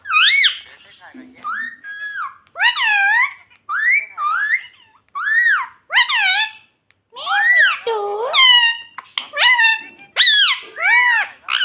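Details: Pet parrot, said to be talking "mummy mummy" and "mitthu", indoors: a rapid string of loud, rich, arched and hooked vocal notes, some bending downward, delivered in irregular bursts with brief gaps.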